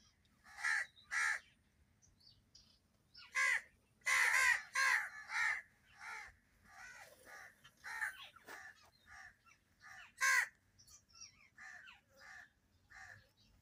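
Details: Crow with other birds making loud noises: repeated rough, grating caws in irregular bursts, some overlapping, mixed with softer short calls from other birds throughout.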